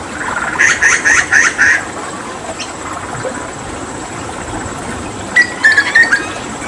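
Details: Hooded butcherbird, a Papuan endemic mimic, singing a rapid 'tembakan' tutor song while given water therapy: a quick run of short bright notes, a pause with faint hiss, then another clipped burst of chattering notes near the end.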